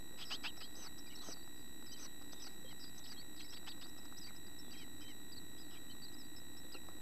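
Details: Chickadee nestlings in a nest box, nearly ready to fledge with tail feathers and open eyes, keep up a dense, rapid chorus of thin, high peeps and chirps without pause, over a steady low rumble.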